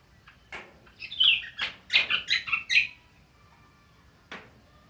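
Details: Green magpie (cucak kombo) giving ngriwik chatter: a dense cluster of scratchy, squeaky notes packed within two seconds, followed by a single isolated note after a pause, over faint background hiss.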